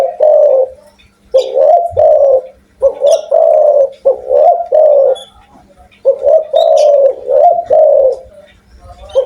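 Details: Spotted dove in full, loud voice: low, soft, hollow coos delivered in grouped phrases of three or four notes, separated by short quiet pauses, against a clean, quiet background.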